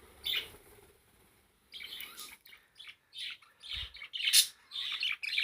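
A parakeet chatters in bursts of high, scratchy chirps and squawks, with short pauses between phrases and a faint low thump.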